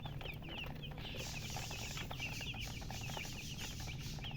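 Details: Colour chicks in a poultry setting, thirsty for drink water, produce quick bright chirps, short downward-slurred peeps from several birds, overlaid by a hiss and low hum.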